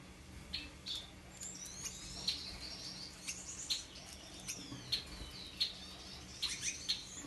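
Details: Gouldian finch calling: short, high chirps at irregular intervals, mixed with thin sweeping whistles and a few faint chattering notes over a low, steady background hum.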